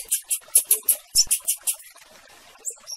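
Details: Rusty-collared seedeater calling a female: ten quick, piercing high chips in under two seconds. After a pause, two faint, thin whistled notes follow, with a couple of low clicks in the background.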